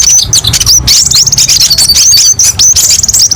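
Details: Kolibri ninja sunbird song, kept as a training or master recording, full of varied sharp rapid bursts: high, thin, squeaky chirps and quick trills crowded together with brief pauses, with a faint low hum underneath.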